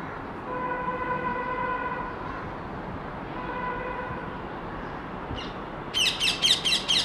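A rose-ringed parakeet gives a burst of five harsh, shrieking screeches in quick succession, after two long, steady, horn-like tones, possibly a train.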